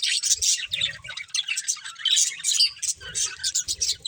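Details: Breeding pair of pet budgerigars chirping: dense, rapid warbling chatter of scratchy, high twittering notes with brief pauses and soft low thumps.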